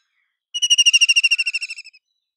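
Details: Single rapid chattering trill of a White-throated kingfisher, about fifteen quick pulses over 1.4 seconds, strongest early and tapering off in volume toward the close.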